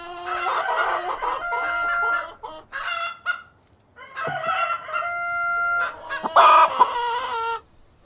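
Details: Cockerel and hens in a farmyard: two long, harmonic, drawn-out calls with steady held tones, separated by short clucks, the second ending in a loud, harsh burst.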